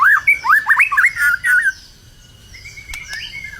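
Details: White-rumped shama in strong song ahead of a competition: a quick sequence of looping, whistled mid-pitched notes for under two seconds, followed by a quieter, drawn-out whistle and a couple of clicks.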